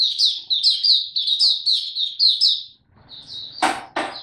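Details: Young caged white-eye (mata puteh) whose song is still maturing, recorded 9 February 2022: a rapid run of high, thin twittered notes that ends after about three seconds, followed by two sharp knocks.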